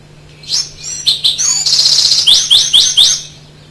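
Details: Winter wren (Troglodytes hiemalis), adult song, sharp, crisp and confident: rapid high notes and trills ending in a quick run of four sharp downward-sweeping notes, about two per second.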